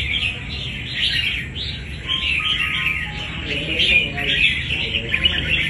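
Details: Wild-caught red-whiskered bulbul of strong fighting quality pours out bright warbling and chirping in dense bursts, with a few short steady tones and a low background rumble.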